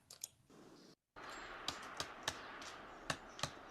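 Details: Sharp, irregular clicks and taps, like typing or handling objects indoors, sound over a low room hiss, with a short silent gap near the first second.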